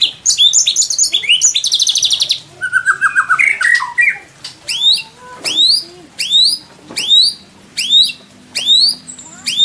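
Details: Indonesian white-rumped shama song for training other songbirds, rich 'isian' material: a dense burst of high chattering notes, a lower warbled run, then sharp descending whistled sweeps repeated about once a second.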